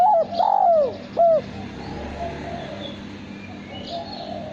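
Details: Male spotted dove, kept for its melodious contest cooing, gives a stuttered opening, a long falling coo and one short final note, followed by quiet background with faint distant chirps.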